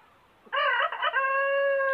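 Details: A huge rooster crowing without stopping gives a loud, harsh crow, a broken rising start followed by a long steady held note, with a quiet background.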